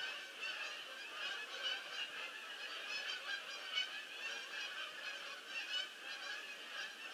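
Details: Landing geese in a large flock, recorded 22 October 2015: overlapping honks pulse in and out, a noisy mass of calls with a few sharper individual notes breaking through.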